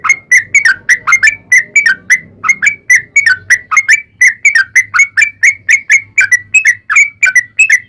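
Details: Sooty-headed bulbul in aggressive 'tarung' song played to provoke other bulbuls to reply; quick repeated liquid whistles in a continuous run, with a soft low humming noise beneath.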